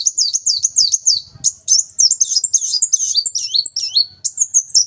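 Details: Continuous high-pitched brown-throated sunbird song, a fast chain of shrill, looping slurred whistles repeated several times a second for five seconds, energetic and unbroken.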